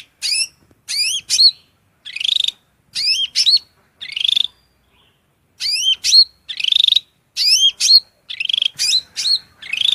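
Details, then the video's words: Shrill cucak rante (hill prinia) masteran song for teaching songbirds. Short bursts of high, sharply inflected whistles and buzzy notes come in groups separated by brief silences. "MASTERAN SUARA MELENGKING CUCAK RANTE GACOR FULL isian Materi mewah"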